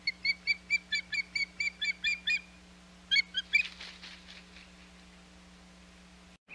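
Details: At the Hog Island nest on 21 May 2021, an osprey utters a rapid run of piercing whistled chirps, pauses, then a brief final flurry followed by a rustling burst like flapping, over a steady background hum.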